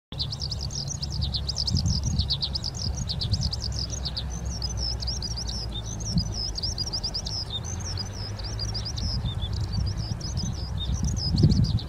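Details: Eurasian skylark parent and chick at Ogura on 10 May 2024: a long unbroken stream of high, rapid chirps and trills, thin warbled notes tumbling over each other without pause, over a steady low rumble of wind.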